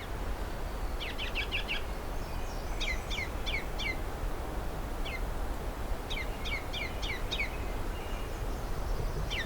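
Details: Male ruby-crowned kinglet (Regulus calendula), curious and close by, singing near a cedar swamp along a trail north of Pine Tree Harbour: short bursts of high, thin, repeated down-slurred notes every couple of seconds, over a steady low wind rumble.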